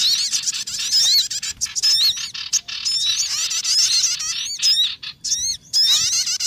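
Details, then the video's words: Sogon birds heard on a bird-trapping lure: a continuous shrill, scratchy twitter of overlapping squeaky whistles, with sharp clicks and a few very short gaps. "MP3 Pikat Sogon Paling Ampuh lansung Sambar"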